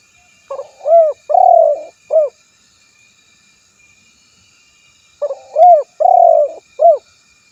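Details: Spotted dove calling a rival, recorded for luring: two coo phrases about five seconds apart, each a short hoot, a louder coo, a long coo and a short closing note.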